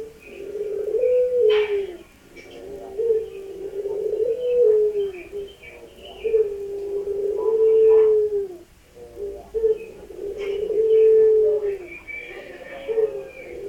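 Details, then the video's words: A Barbary dove (puter pelung) gives low, drawn-out rolling coos, each about one to two seconds long and repeated every two to three seconds, indoors. "PUTER PELUNG"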